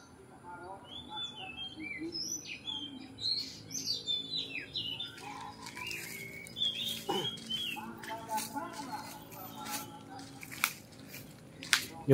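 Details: Loose Oriental magpie-robin singing outdoors beside a house: bursts of clear, varied whistles and short slurred phrases in the first half, then scattered chips and clicks, with low background hum.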